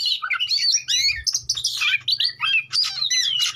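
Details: Lure song of an Oriental magpie-robin used to get rival birds singing: fluid, rapid whistled phrases sliding up and down, mixed with rasping notes, loud and nearly continuous.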